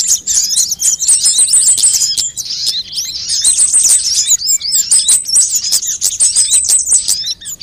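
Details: Sunbirds of several kinds, mixed into a lure recording used to attract birds and prompt caged birds to sing: dense, high, thin twittering with rapid chirps and short buzzy trills overlapping throughout, no other sounds.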